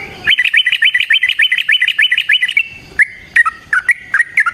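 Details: Trucukan, or yellow-vented bulbul, sings a fighting-style master song used as a lure. A rapid rattling roll lasts over two seconds, followed by spaced, slurred whistled notes.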